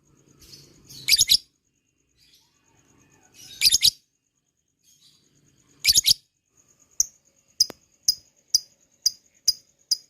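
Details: Lovebird in a lure recording meant to trigger ngekek chatter: three short, dense, high buzzy bursts about two and a half seconds apart, then a series of sharp, evenly spaced ticking clicks.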